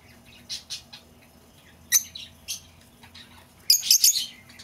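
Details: Lovebird calling, played to draw back an escaped bird: a few separate high, sharp chirps early on, then a dense burst of shrill chattering near the end over a quiet low hum.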